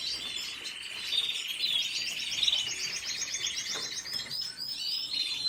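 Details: Red siskin sings a long, unbroken run of high, rapid twittering with buzzy trills and chattering notes, with no other sounds around it.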